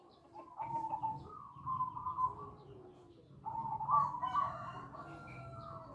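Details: Zebra dove lure call for drawing in other doves: two long runs of soft, tremulous coos, each phrase rolling and slightly rising, separated by a quiet pause, with faint background noise.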